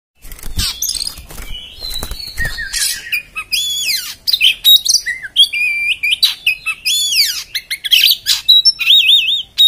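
An Oriental magpie-robin pours out a fast, varied song of harsh rasping notes, sweeping whistles and wavering trills with hardly a pause, plus a few soft knocks near the start.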